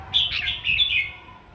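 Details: Brief, lively phrase of a red-whiskered bulbul's morning fighting song: a quick sequence of clear, bright whistles, slightly rolling and sliding downward, against a low rumbling background.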